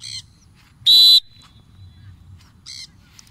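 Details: A free-flying pet Triton cockatoo gives one loud, raw screech lasting about a third of a second, framed by two shorter harsh squawks, as its owner calls it; faint background murmur.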